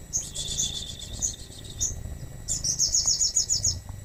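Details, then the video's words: Crested jay singing as a lure to set other birds singing: two bursts of rapid, high, tinkling notes. The first is a jumbled chatter and the second a quick, even trill, with a short pause between. "Sogon gacor cocok buat pancingan bahan"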